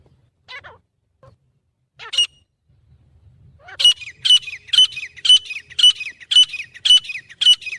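A grey francolin gives a few scattered harsh notes, then a loud run of about nine grating, high notes at roughly two per second. The background is quiet.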